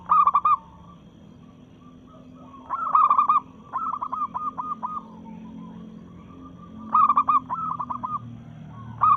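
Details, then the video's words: Breeding-mood local zebra dove singing a challenge to rivals: loud, trilled coo bursts at the start, near three and seven seconds, and at the end, separated by a run of evenly spaced, softer staccato coos. "Perkutut Lokal Gacor SUARA menantang lawan"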